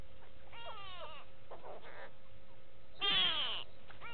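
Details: Go-away birds at Gowrie dam waterhole, Djuma Game Reserve, Sabi Sand, South Africa, 6 June 2018: nasal, bleating calls that slide downward, two softer ones early, then a loud, harsh drawn-out call near the end over steady background hum.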